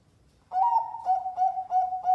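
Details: Zebra dove, competition-class song used to prompt a silent dove to sing: after a quiet start, a clear mellow cooing tone held at one pitch, broken into short linked pulses about every third of a second.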